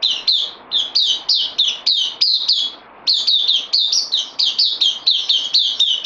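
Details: A bulbul kept in a cage, newly arrived on loan, pours out fast, sharp downslurred chirps in steady rapid series, breaking off once briefly before resuming the same chattering rhythm.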